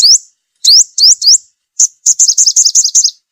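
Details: Repeated sunbird call played as a trapping lure: four quick rising whistled upsweeps, then a rapid stuttering run of short, high chirps.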